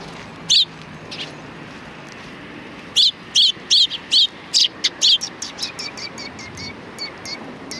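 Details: On 3 July 2020 at a Tenmangu shrine, sparrows come to greet a visitor: one loud chirp, a pause, then a rapid burst of about eight chirps, trailing into softer ticks and faint thin notes.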